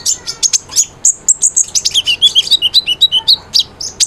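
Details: Cinereous tit song used as a training recording to stimulate silent birds to sing: rapid, high, bright chirps and short twittering notes, around four per second, some sliding down, delivered in a dense, irregular run.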